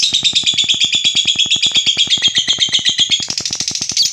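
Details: Lovebird chattering used to stir other lovebirds: a continuous, fast, pulsing high trill with an even rhythm, backed by a regular mechanical ticking beat.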